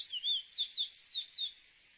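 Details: Chestnut-bellied seed finch (cacahuero) singing: a quick phrase of six clear whistled notes, each sliding down then curling, about three per second, over a soft hiss.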